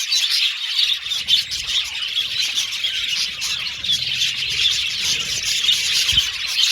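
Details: Caged budgerigars, a colony in an aviary, singing and chirping while playing with their cage: a dense, continuous wall of high, scratchy warbles and chirps from many birds at once, with faint low rumbles beneath.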